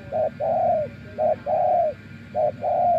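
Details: Close, clear cooing from a spotted dove tamed as a decoy after days in the wild: three pairs of a short coo then a longer, slightly falling hooted note.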